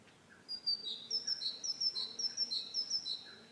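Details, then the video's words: Great tit (Parus major) giving its see-saw song: high, piercing paired notes, higher then lower, repeated many times in brisk succession. "Canto Del Carbonero Común Audio Del Carbonero Sonido Del Carbonero"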